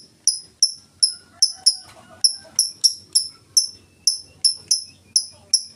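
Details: Ngetik song from a lovebird, pure ticking with no chattering, used to lure other lovebirds into song: bright, piercing tick notes repeated evenly about twice a second, some in close pairs.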